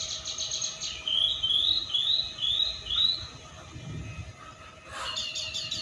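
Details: Tame pet black-naped oriole waiting for the fast to be broken gives five clear rising whistles in steady succession, then a burst of buzzy noise near the end.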